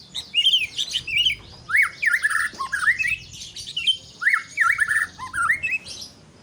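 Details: White-rumped shama delivers loud, lively song phrases of quick slurred whistles and twittering notes, repeated in bursts about every second. A high insect buzz drones steadily behind.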